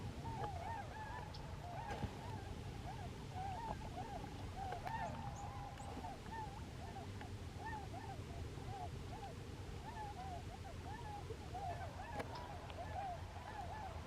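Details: About 18 tundra swans at Bear Island, South Carolina, on an evening give a steady chorus of mellow, high, yelping hoots that overlap in quick succession, over a low background rumble.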